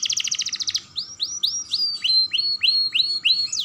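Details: Song of a young canary, used to prompt other canaries to sing: a rapid high chattering trill, then a series of clear swooping whistled notes, each sliding down, repeated briskly over a constant low hum.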